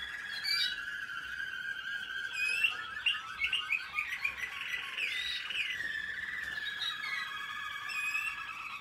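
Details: American Singer canary, 2021, in training: a lively, varied song of rolling trills, rapid chirped notes and sweeping whistled slurs, sung continuously over a sustained ringing tone.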